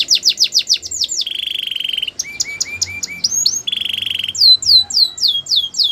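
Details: Belgian canary delivering a varied song: rapid pulsed whistles, a sustained low buzzing roll, short repeated chirps, another buzz, then a series of high swooping notes.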